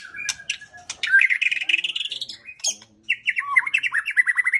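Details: White-rumped shama singing a loud, varied song of clear whistles, rising and falling slurred notes and quick trills, with sharp chirps between phrases and a short pause before a final run of bright warbled notes.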